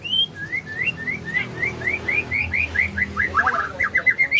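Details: White-rumped shama singing in the morning: a run of short, clear, upslurred whistles repeated about every third of a second, ending in quicker varied notes, with a faint low hum beneath.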